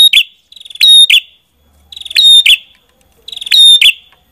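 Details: A Prenjak kepala merah gives three loud phrases over four seconds. Each opens with a short stuttering buzz and ends in a strong, shrill, ringing burst.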